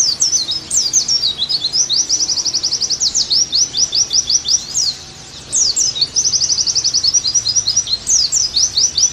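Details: Oriental white-eye song, played to help a pleci sing lively again: two long phrases of very high, fast, evenly spaced chirps and trills, separated by a short quiet gap.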